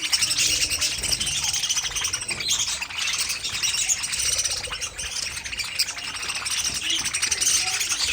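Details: Busy high-pitched twittering and chirping from a budgerigar colony housed in an aviary, many birds calling together in an unbroken, evenly loud stream.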